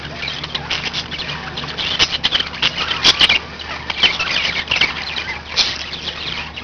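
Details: Pet budgerigars, several kept together, chattering in dense, fast warbles and sharp chirps, with clicks around two and three seconds over a steady low electrical hum.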